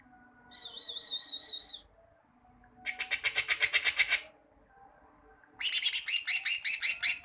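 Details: Greater green leafbird tutor song for bird training: a wavering trilled whistle, then a dry buzzy rattle of rapid clicks, then a loud fast series of sharp high whistled notes.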